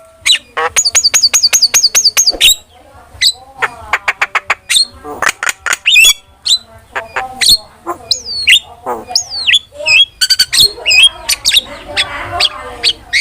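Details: Starling lure and tutor song: long rapid trains of sharp repeated clicks and whistles, interspersed with sliding whistled notes and rough chattering toward the end.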